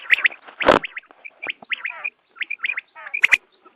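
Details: Quail at dawn, recorded for use in hunting: a short, crowded run of scratchy chirps and rising squeaky notes, broken by a loud sharp click near the start.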